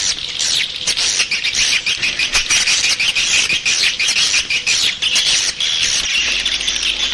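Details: Swiftlet calling sound used to lure swiftlets: a dense, continuous chatter of high, rapid chirps and twitters overlapping one another, with no clear pauses, and soft thuds scattered throughout.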